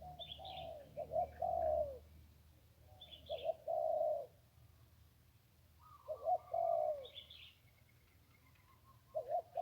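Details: Zebra dove near the Ping River, Thailand, singing clear rolling coo phrases with gaps between them, each a short note and a longer trill, plus faint high chirps from other birds.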